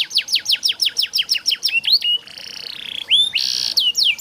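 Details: Canary singing, recorded as a tutor track to coax lazy canaries into song. A run of about twelve loud descending whistled notes leads into buzzy, sustained trills and a few upward-slurred notes.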